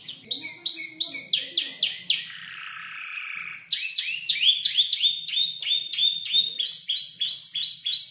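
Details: Canary aged about five months mimicking ciblek, klik-klik and prenjak lumut: rhythmic sharp notes, a buzzy rolling phrase, then a quick chattering sequence of high notes.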